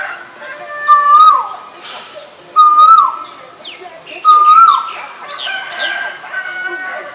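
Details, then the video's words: An Asian koel gives three loud, rising 'ko-EL' whistles about two seconds apart, with a few thin high chirps from other birds behind. "นกกาเหว่า (Asian koel)"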